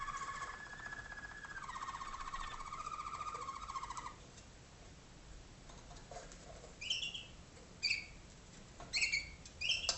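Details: Tutor waterslager canary in an Ohio training room, sounding for young malinois birds hatched in 2011: a smooth two-level rolling tour for four seconds, a pause, then scattered short bright chirped notes at intervals.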